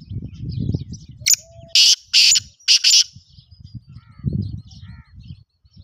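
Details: A Black francolin utters four loud, rasping, buzzy bursts in roughly one second, preceded by a sharp click, with low rumbling background noise before and after the call.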